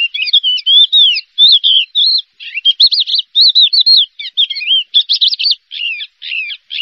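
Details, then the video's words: Champion Javan bush lark, a first-place contest bird, singing a fast varied song of short chirps, trills and slurred whistled notes, phrases broken by brief pauses, with a clean background. "SUARA BRANJANGAN JUARA 1"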